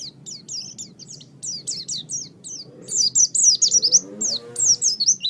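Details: Oriental white-eye master song for training birds: high, rapid twittered phrases of slurred notes that grow louder toward the end, with a faint low tonal sound in the background.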